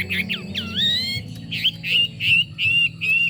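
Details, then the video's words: Hwamei song: a couple of quick warbled notes, then a long drawn-out swooping whistle, followed by a string of short bright whistled notes repeated evenly, with a low background hum throughout. "Họa mi hót"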